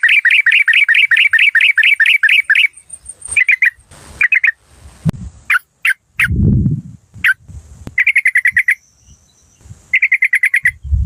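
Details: Yellow-vented bulbul decoy of Malay origin starts with a fast run of sharp repeated notes, then short note clusters mixed with low thumps, a faint high tone, and a final quick burst of notes.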